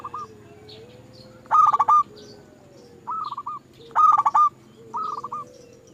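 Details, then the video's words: Several zebra doves on a lure recording intended to make other doves sing, trading phrases: loud staccato cooing bursts alternate with softer, farther ones about every second or two, over a low background hum. "Pancingan Burung Perkutut Bikin Perkututmu gak mau diem"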